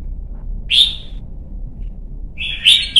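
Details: Red-whiskered bulbul, young white-cheeked bird being trained for contest singing; one clear rising whistled note, then a brief tail of a warbled phrase beginning near the end, low hum beneath.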